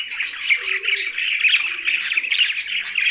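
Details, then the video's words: Short burst of young budgerigar chatter, fast buzzy chirps and squeaky warbles layered together, with soft low cooing notes underneath. "Young Budgie's Sound's"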